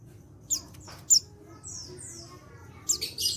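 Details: Untrained male white-eye recorded in Pacitan, calling so other white-eyes join in: brief sharp high chips then long falling buzzy whistles, ending in a dense burst of high notes, over low hum.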